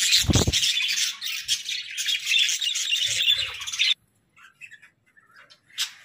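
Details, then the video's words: Flock of pet budgerigars chirps and warbles in a dense high chorus for about four seconds, then stops abruptly, leaving only faint scattered chirps. "Joyful Parakeets🐦🦜: Daily Chirping, Songs, and Fun!"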